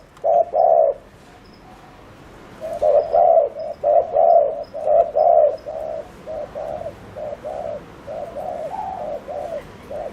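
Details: Decoy spotted dove giving the fast 'gù' cooing style used to lure wild doves: low hollow coos in quick pairs and runs, a brief pause after the first pair, then steady repeated notes about once a second.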